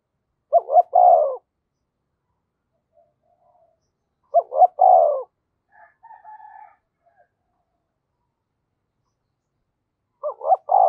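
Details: Spotted dove decoy in the 'thổ sấm' voice style: three low cooing phrases about five seconds apart, each a doubled short note and a falling coo, with a faint higher chatter between them.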